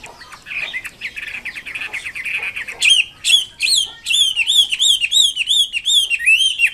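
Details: Red-billed blue magpie singing vigorously: a soft, jumbled warble opens, then loud, sharp whistled notes take over, each swooping down and up, repeated in a quick, steady train of strong, ringing calls.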